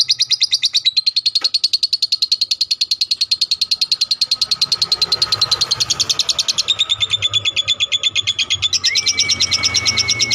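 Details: Caged lovebird giving a long ngekek trill used as a tutor song for other birds: rapid high pulses repeated many times a second for about eight seconds, ending in a steady whistled note, over low background hum.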